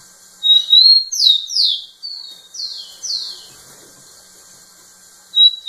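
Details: A rufous-collared sparrow sings repeatedly close to a female. Its phrase opens with two high whistles, then five descending slurred whistles fading in strength. After a pause of about two seconds, a fresh whistle begins the next song.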